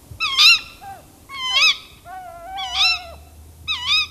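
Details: Tawny owl alarm calls, from an owl in a tree mixed with other tawny owl sounds: sharp, wavering, nasal yelps with rich overtones, four outbursts about once a second, plus lower sliding whines between them and faint low rumble.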